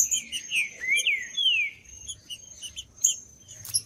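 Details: Wild green-winged saltator in the woods, for warming up cold birds: loud rich whistled phrase of rising and falling slurs in the first two seconds, followed by brief chips and a constant thin whine.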